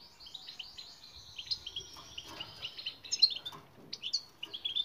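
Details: European goldfinch song used as a training recording to get silent birds to sing: rapid twittering, tinkling high notes with buzzy trills, delivered in quick bursts with brief pauses.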